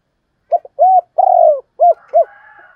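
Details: Spotted dove giving the 'gáy thúc' and 'gáy gọi' calls, the double call also called 'hai hậu'. Short coos, an arched note and a long falling coo run in a row, then two rounded coos end with a faint high trailing tone.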